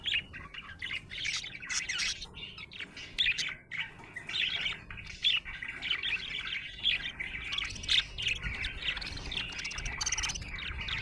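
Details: Happy pet budgie chirping: long run of fast scratchy warbles and bright chirps, rising and falling in intensity without pause.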